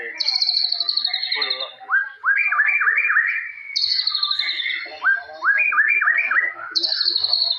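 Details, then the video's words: White-rumped shama of the forest type, song packed with cililin-style shots: a high sweeping trill opens each phrase, then five or six rapid rising whistles, the pattern repeating about every three seconds. "Murai Batu Gacor Full Nembak Jalilin"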